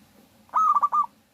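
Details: A single pulsed cooing phrase from a local zebra dove used as a lure for other doves, a steady note breaking into three or four quick beats.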